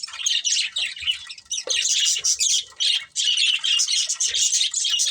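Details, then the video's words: Two budgerigars, a breeding pair, chirping and chattering loudly in quick high warbled phrases, with short squawky notes and brief gaps, indoors. "Cute Budgies Chirping Sounds | Love Birds Breeding Pair"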